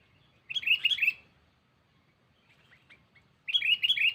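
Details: Sooty-headed bulbul call aimed at a rival, played as a lure: two bursts of rapid bubbling chirps, each under a second, separated by a pause with faint soft notes in between.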